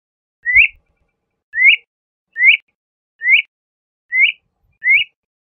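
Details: LeConte's thrasher giving one clear upslurred whistle, repeated six times at a steady pace of just under one per second, with silence between notes.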